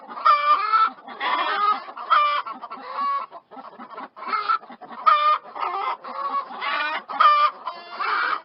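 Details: A flock of chickens clucks and squawks continuously, about a dozen loud harmonic squawks spaced under a second apart over soft clucking.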